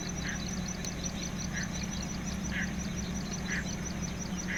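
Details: Warning sound of a male greater painted-snipe in its territory on the Da-an shore, Taichung, Taiwan, April 2016, handycam recording: short hollow hoots roughly every second, with constant low hum and shrill chirring behind.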